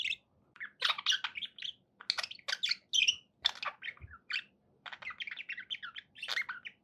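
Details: Pet budgerigars chatter in quick bursts of buzzy, scratchy warbles and sharp chirps, with short gaps between phrases, a faint low hum behind them and a soft knock midway.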